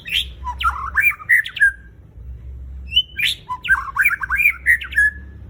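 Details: Lure song of a white-rumped shama, used to coax kept birds into singing: two similar phrases about three seconds apart, each a rising whistle then a tumbling string of clear and scratchy notes, with a low background hum.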